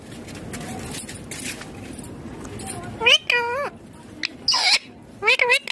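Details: Pet green ringneck parrot vocalizing: after a stretch of quiet background hiss, a run of loud, harmonic, up-and-down warbled calls bunched together, then a brief pause and a few more quick bent notes near the end.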